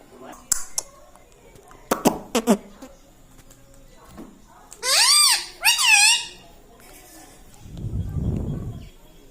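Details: Talking pet parrot indoors, imitating words such as "mitthu" and "mummy": scattered clicks, then two loud arched harmonic syllables in quick succession, followed by a low rumbling noise.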